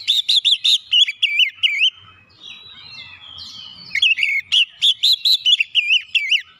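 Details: Oriental magpie-robin singing as a lure for lazy magpie-robins: two rapid runs of loud, looping, slightly buzzy whistles, each of about eight notes, separated by a soft, scratchy twittering interlude.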